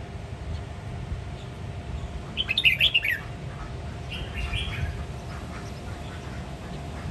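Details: Red-whiskered bulbul from the Sông Kon strain of Quảng Nam, Vietnam, in ché nẹt style singing: a single quick, jumbled burst of sharp chirped notes lasting under a second, followed by a fainter short phrase, with constant low hum behind.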